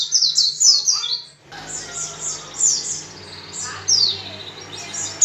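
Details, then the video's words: Chatty white-eye in full song, used to prompt other white-eyes to sing: rapid, very high, thin twittering notes in fast descending runs, a brief pause, then more bright chattering phrases, with a faint steady hum underneath. "PLECI GACOR dengan cepat membuat pleci ngalas dan pleci buka paruh"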